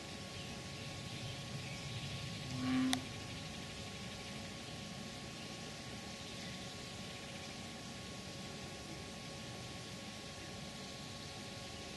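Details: Steady outdoor hiss and low hum throughout, broken only by one brief thump and click near the three-second mark; no animal calls.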